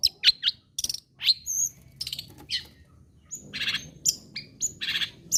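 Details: Softer passage of long-tailed shrike song, used to draw other shrikes into singing: scattered chips and high whistles, then several harsh raspy bursts interleaved with brief clear whistled notes.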